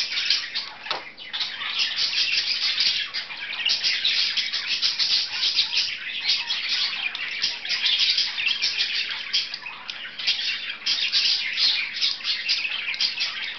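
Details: Pair of pet budgies playing, long unbroken run of dense rapid chattering, clicks and high tweets, steady throughout with small rises in intensity.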